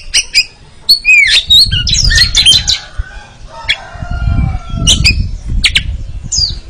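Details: Oriental magpie-robin in a training recording for contest birds, giving sharp whistled notes and bright chattering phrases in bursts, with wing-flapping sounds and a low rumbling background.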